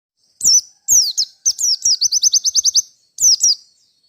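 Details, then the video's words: Wild Merapi white-eye singing in full voice while seeking a rival to fight: high, clear descending whistled notes, then a rapid run of about ten sharp repeated chirps, and a final pair of falling whistles. "Burung Pleci Merapi Gacor fighter Ngalas nembak Cari Lawan"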